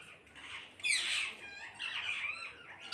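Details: Parrots squawking as a flock: a loud grating screech swelling just before the one-second mark, then a second rasping call and softer chatter.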